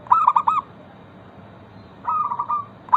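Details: Zebra dove, a local bird, cooing as a lure for others of its kind: a rapid stuttered phrase, a quiet gap, then a softer, more even trill and the start of another.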